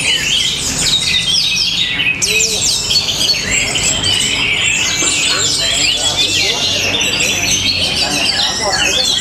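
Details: Orange-headed thrush, Tabanan, Bali, in powerful matrix-style song: a continuous tumble of sharp chirps, buzzy trills and quick whistled sweeps, with one short lower whistled note near the start, against a steady low background hum.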